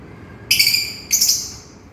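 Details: Lovebird calling to its companion: two harsh, shrill screeches about half a second apart, each a short burst of high, buzzy notes, the second trailing off slowly, with faint background hiss.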